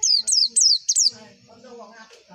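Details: White-eye song meant as a lure to get caged competition birds singing: five quick, high, down-slurred whistles, then softer lower chattering calls.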